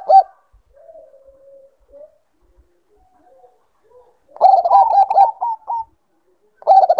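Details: Bangkok-type zebra dove in breeding condition: a quiet stretch of faint low purring and soft notes, then one strong burst of rapid ringing coos, with another starting at the end.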